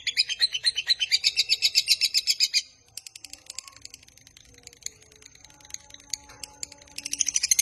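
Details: Lovebird in long ngekek trill, played to lure and train lovebirds: a loud, fast, evenly pulsed chatter of high notes for under three seconds, then faint clicks, and a trill returning at the close.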